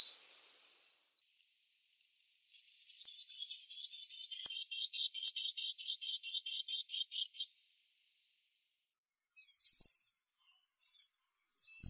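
Black Guillemot giving a thin, high, pulsing whistled trill lasting about five seconds, framed by several separate piercing upslurred whistles.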